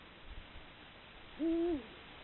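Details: One deep, even Eurasian eagle-owl hoot with a brief downward tail, from a male and female pair calling at dusk on a rocky hilltop to court each other and warn rivals off their territory for the coming breeding season.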